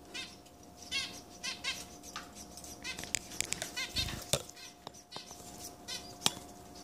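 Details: Caged zebra finch nestlings begging as parents feed them, three pairs sharing one cage with broods of different ages; repeated high buzzy begging bursts interrupted by sharp clicks and knocks.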